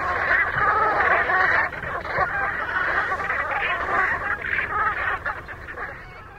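Brant geese murmur and honk in a steady, overlapping chorus of low, throaty calls, several birds calling at once with no clear pauses.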